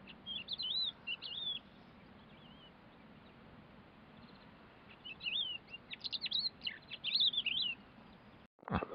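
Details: Thekla's lark at Cabranosa, Sagres, Portugal, on 2 April 2022, at a pond after two weeks of bad weather, sings bursts of clear, fluty, warbling phrases with quick rising and falling whistles, separated by pauses, over a low steady hum.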